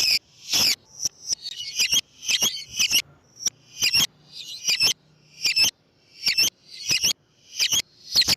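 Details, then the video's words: Lovebird call played to lure lovebirds: a dense series of shrill, rasping high squeaks and chips, repeated roughly every half second, loud throughout with a faint low hum. "MEMANCING BURUNG LOVEBIRD DENGAN SUARA BURUNG GACOR"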